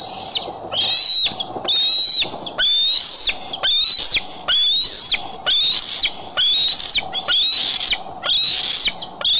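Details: Bald eagle at the Decorah nest camera, July 6, 2011: loud, evenly spaced whistled calls, each a long rising note ending in a sudden drop, about once per second for the whole stretch, with brief quiet gaps between.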